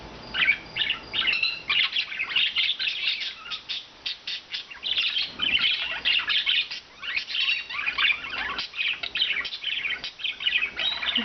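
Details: Rescued pet budgerigars kept free-flying indoors, four birds of blue, white and green colours, keep up dense, continuous warbled chattering and scratchy chirps that rise and fall in loudness.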